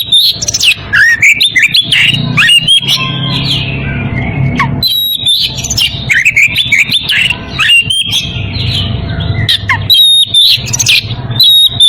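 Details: Oriental magpie-robin in breeding condition calling a rival, pouring out loud whistled phrases with sharp rising and falling slurs and high squeaks, over a low droning, music-like background.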